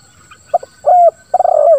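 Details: Single 'ngeruk' phrase of a spotted dove in 'lambung kuk 1' style, meant to get silent doves calling: two quick soft notes, a sustained level coo, then a throbbing coo that slides downward at the end.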